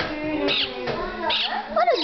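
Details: Kiwi, a pet talking budgerigar (Melopsittacus undulatus), male, chatters in quick, scratchy, high-pitched bursts imitating human speech while conversing with a person.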